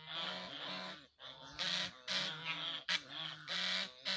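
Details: Geese honking in a rapid series of loud, nasal, harmonic-rich honks, about two per second, some overlapping, with brief pauses between bursts.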